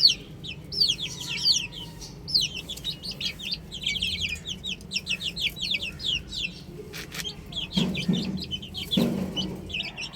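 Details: Baby hens playing on a roof give busy, piercing downslurred peeps in a continuous overlapping stream; a couple of soft low thumps sound near the end.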